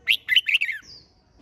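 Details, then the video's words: Competitive singing of a red-whiskered bulbul: a quick run of four rich warbling notes, followed by a faint high thin whistle. "Chào Mào Hót - Kích Chim Hót Xung"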